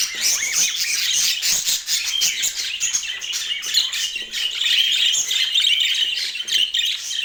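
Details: Chirping budgerigars in Portland, a lively jumble of quick high tweets and warbled notes that rise and fall in loudness across the recording.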